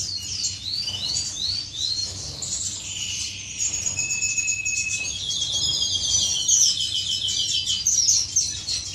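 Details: Courtship among caged finches in an aviary on 10 May 2015: a loud, busy twittering song of rapid high chirps, buzzy trills and a few sustained thin whistles, several birds overlapping.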